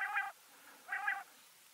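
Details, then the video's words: Wild backyard bird in Washington State giving two soft, nasal, harmonic calls about a second apart, with a faint background hiss. "Backyard Birds (4K) 2 Hour Ambient Nature Film with Real Bird Sounds - Washington State"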